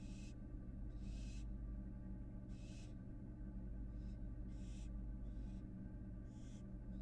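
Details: Harsh hissing from an American barn owl fledgling visiting its former nest box in Florida, about eight airy bursts of varying length and loudness, steady low hum beneath.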